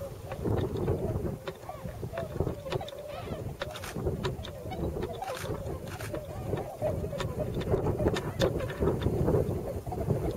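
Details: Wintering tundra swans, a flock of several hundred in the rice-field countryside of the Nogi plain, Yasugi, Shimane, Japan; many overlapping nasal, wavering calls rise and fall over a steady rumble of wind and scattered clicks.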